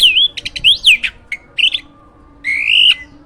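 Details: Hybrid jalak (myna), a caged master songbird for training others, gives loud swooping whistles and a few short squeaks, closing with a long drawn, slightly wavering whistle.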